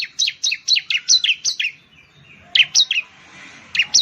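A Bar-winged Prinia gives rapid, bright chirping phrases of sharp, high notes, about four per second, in bursts separated by brief pauses.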